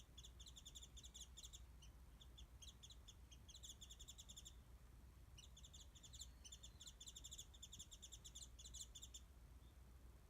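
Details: Warbling white-eye calling overhead near a backyard mandarin feeding spot, phone-recorded from some distance; two long runs of rapid, evenly spaced high chirps separated by a short pause, over a continuous low hum.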